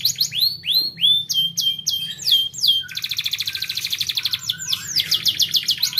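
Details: Canary singing to encourage young canaries to sing: loud swooping slurred whistles at first, then a rapid buzzy rattle-like trill, ending with further descending notes.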